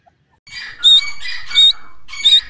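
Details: Francolin, known locally as teetar, giving loud harsh squawking notes, each with a sharp shrill whistled peak. Three bursts come in quick succession over about two seconds against a quiet background.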